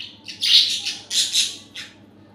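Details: Pet budgerigar making a few harsh, buzzy chirping bursts in quick succession.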